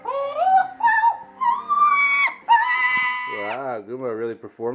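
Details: A female Double yellow-headed amazon, a talking bird kept at a veterinary hospital, speaks a few nasal, human-like phrases in sliding tones, then ends with a wobbling, warbled run of sound.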